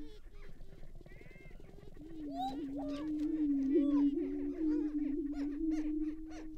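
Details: Greater prairie-chickens on a lek at Tympanuchus Wildlife Management Area, northwest Minnesota, on a frosty April 2019 morning: a steady low hum drones throughout, overlaid by rapid arching whoops and cackles that grow louder midway.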